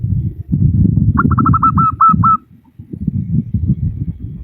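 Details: Female local zebra dove calling to males, a quick stuttered series of short coos settling into steady spaced notes, with a loud low rumbling noise underneath throughout.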